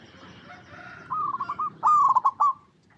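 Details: Zebra dove, a local Indonesian bird, cooing: a soft start followed by a stuttering series of clipped coos and a louder trilled, bubbling phrase that ends abruptly.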